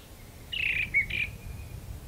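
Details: Brown thrasher singing from a magnolia tree: two short, rough high phrases about half a second apart, the second slightly doubled, over a faint low background rumble.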